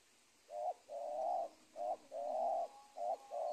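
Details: Spotted dove cooing near a teak plantation edge on old corn-field ground in Indonesia, alternating short clipped coos with longer mellow, slightly rising notes in a steady rhythm, with faint background hiss.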